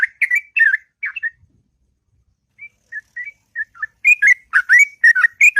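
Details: Sooty-headed bulbul singing its long, melodious 'ngropel' morning song: bursts of rich, bubbly whistled phrases, then a pause with a few soft single notes, then a dense, rapid run of warbled, rollicking notes.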